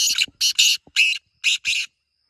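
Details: Black francolin calling loudly, a run of about six coarse, scratchy notes in uneven pairs, the phrase ending in two separated rasping notes, with no other sounds.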